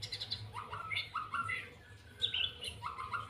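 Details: White-rumped shama singing in the trotol style: clear, whistled notes sliding and rising in short phrases, some higher sharp flourishes, over a steady low hum.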